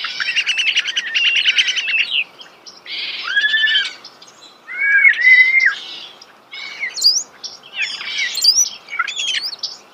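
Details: Starling song heard up close in nature: a rapid buzzy trill, then steady whistled notes, gliding slurs and quick rising whistles in a continuous varied medley.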